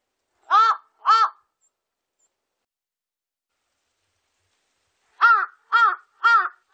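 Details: Two rough caws from a large-billed crow, then a four-second silence and three more caws about half a second apart, each harsh and arched in pitch, with no background noise.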